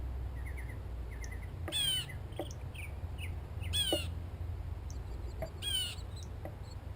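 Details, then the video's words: Gray catbird in a backyard while eating, giving three loud, nasal, harmonic cat-like mews about two seconds apart, with faint short higher chips between them over low background rumble. "Catbird Call | Gray Catbird Call"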